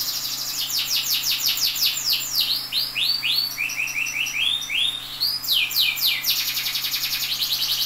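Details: Canary song recorded as a training model for other canaries: rapid high rolling trills of repeated sweeping notes, shifting between fast descending series and slower glides, continuous throughout, with a faint steady hum underneath.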